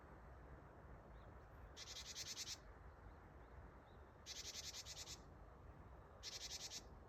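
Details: Close Japanese tit on 8 December 2025 giving the "ji-ji-ji-ji" call meaning "gather": three rasping pulse trains, each under a second, spaced about two seconds apart, with faint thin whistles from other birds in between.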